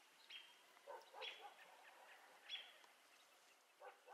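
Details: Virginia rail calling: scattered harsh, rough notes spread across a broad pitch band, coming in short bursts at uneven intervals. A thin, high whistled tone sits behind them.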